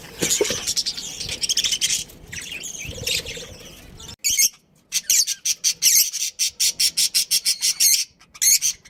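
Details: Pet budgerigars kept at home, chirping: dense bursts of harsh, scratchy high chirps and squawks, then a quick run of short clipped chirps repeated several times a second, with a brief quiet gap midway.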